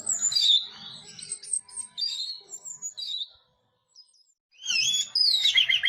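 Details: Orange-headed thrush singing teler, loud high slurred whistles and chatter, a near-silent pause of about a second, then a bright tumbling burst of warbled notes.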